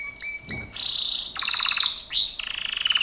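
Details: Gloster canary song used for training: two sharp whistled upslurs, then rapid rolled trills shifting between pitches, a swooping whistle and a final quick rattling roll.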